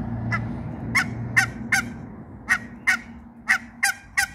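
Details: Mallard duck in a backyard meeting of a mallard couple with two male and one female hybrid runner ducks; nine harsh, nasal quacks, often paired, over a steady low hum.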